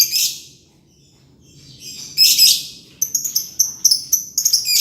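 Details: Green lovebird ngekek: a harsh rasping burst, a quiet gap, another grating burst, then quick high squeaky chirps running together in a jittery chatter.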